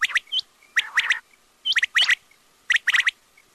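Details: Quail calling loudly in quick, dense triplets of sharp, clipped notes, one group after another with brief pauses.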